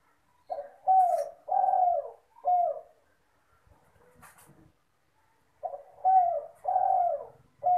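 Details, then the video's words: A spotted dove gives soft, low cooing phrases of four notes, the last dropping slightly, repeated after a pause, with faint rustling between phrases; used as a lure call. "Derkuku GACOR"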